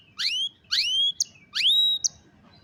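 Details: Canary singing, caught on a cellphone, gives three clear upswept whistles about half a second apart, each rising steeply and ending in a short high flick.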